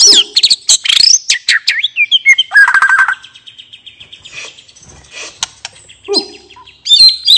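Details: White-rumped shama song meant to prompt silent birds into singing: a fast burst of varied chirps and sweeping whistles, then quieter trills, and a final loud whistled flourish.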